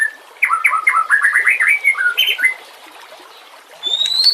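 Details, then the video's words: White-rumped shama song used as a master recording for training other songbirds: a rapid run of rising, sliding whistled notes stepping upward for about two seconds, then a pause and a thin high whistle. "Suara kicau burung murai batu. Masteran buat:cendet plentet trocok cucak ijo rowo jalak."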